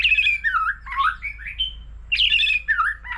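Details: Singing in many voices, a mature wild-caught white-rumped shama competes with a laughingthrush. Loud fluid whistled phrases slide between high and middle pitch, and each phrase is followed by another after a brief gap.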